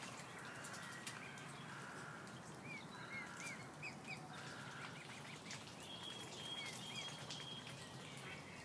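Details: Ill mute swan cygnet with its swan family, peeping: thin, rising peeps in short bursts, several in a row near the middle and again toward the end, over constant outdoor wind-like noise.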